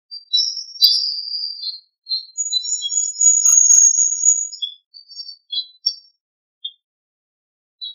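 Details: Wild birdsong on a morning after rain: high, thin whistled notes, a long steady high whistle held for about two seconds, then scattered short chirps and brief pauses in otherwise quiet surroundings.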